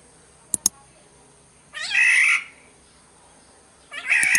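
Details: Sumbawa black-naped oriole lure recording: two clicks, then a raspy, cat-like squall, and a second squall beginning at the end, set over soft background hiss.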